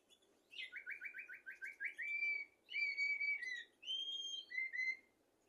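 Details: Blackbird song for training goldfinches and canaries: a quick stutter of about seven identical whistled notes, followed by several longer clear fluted phrases at varying pitches, some high and ringing.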